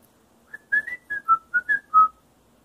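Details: Pet male parrot singing to a feather duster, whistling a learned tune; eight clear whistled notes stepping up and down, ending on a longer lower note.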